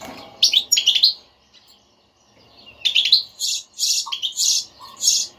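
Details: Batbata-style stimulating song of a European goldfinch, used to get a silent goldfinch singing: quick liquid twitters early on, then after a pause a run of harsh, buzzy, scratchy notes.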